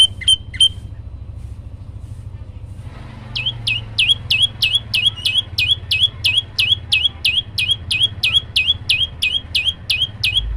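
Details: Olive-backed tailorbird (prenjak lumut) in lively, varied song: a few short notes, a pause, then an extended run of about twenty swooping whistled notes repeated three times a second, loud and regular, above a low droning background.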